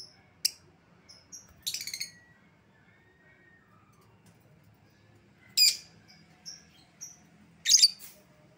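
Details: Lovebird lure call used to call back an escaped lovebird: sharp broadband shrieks at irregular intervals, with short high thin chirps between them over a quiet background.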